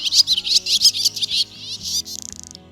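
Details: A barn swallow (Hirundo rustica), a Polish bird, gives its twittering song: a fast, high chattering twitter ending in a dry, buzzy rattle, with soft music underneath.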